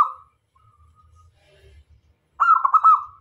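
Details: Local zebra dove singing to lure other doves: a faint tail of a phrase at the start, then after a quiet gap a loud rolling series of rapid cooing notes.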